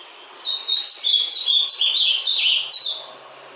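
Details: A captive Ultramarine Grosbeak (azulão), just coming out of a moult, sings a quick, sweet warbled phrase of about two and a half seconds, with slurred high notes running together and rising at the end.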